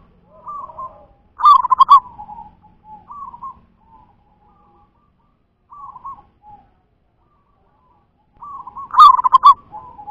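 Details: Local zebra dove of natural stock delivering a loud pulsed rolling coo, several softer gurgled coo notes with gaps, then another loud rolling phrase at the end. Little else is heard.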